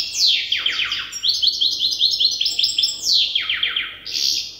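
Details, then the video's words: Young European goldfinch hybrid still memorising its song from an older hybrid tutor, delivering loud descending sweeps followed by rapid stuttering trilled notes and a second falling sweep, bright and tinkling, with a thin wheezy ending. "تغريد هجين الحسون لازال في مرحلة الحفظ"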